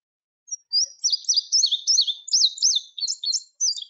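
Indigo Bunting song: high, bright sweet notes in quick paired phrases, each note given twice, about three seconds long; nothing else heard.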